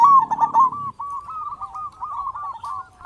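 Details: Zebra dove from Indonesia, kept as a lure to prompt other doves to call, delivering a long rolling trill of rapid stuttering coos at an even pitch, with a brief low rumble at the start.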